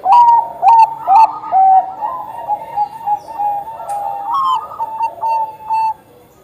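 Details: Bangkok zebra dove in eager song, played to stir other doves to sing. It opens with loud, short whistled coos about twice a second, then runs into smoother, continuous cooing that fades out.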